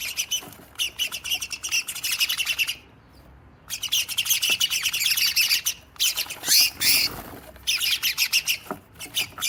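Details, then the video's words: Noisy sparrow drama: several sparrows chatter and squawk in harsh, high bursts at a cat house, calling over one another with two brief pauses. "Noisy sparrow drama"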